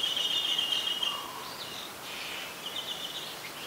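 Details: Adult red-whiskered bulbul in Ubon Ratchathani, Thailand, on 3 January 2021: a quick run of short chirpy, bending notes, loudest at the start then fading into softer warbles over steady background hiss.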